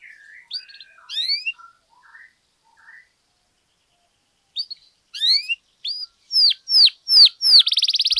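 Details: Canary singing in a lure recording used to excite other canaries into song: scattered soft notes and a pause, then loud downward-slurred whistles at about one per half second, ending in a buzzy trill.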